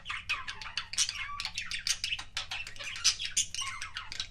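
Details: Kissing sounds from a pet budgie: fast, busy chattering of clicks and squeaky chirps with brief bright squeaks, nonstop throughout, against a faint low electrical hum.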